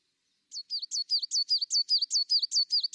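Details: Tit singing a loud, rhythmic series of repeated high whistled two-note phrases, evenly spaced and about three per second, with no other sounds.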